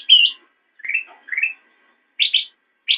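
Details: Black-crested bulbul song from a master recording for cage-bird training: a sharp high note, two lower rising slurred phrases, a pause, then paired bright chirps; clean background.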